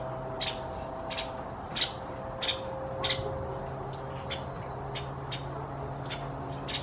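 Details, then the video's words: A Nuttall's woodpecker in springtime gives brief, clicky high calls just before dusk to draw attention, about one or two per second and irregularly spaced, with a constant low background hum. "Nuttall's Woodpecker springtime vocalization"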